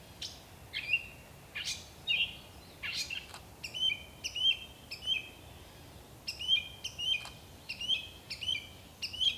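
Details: A gray catbird sings a run of scratchy, squeaky notes, then settles into a steady series of short chirped phrases repeated about every half second. The setting is quiet and outdoors.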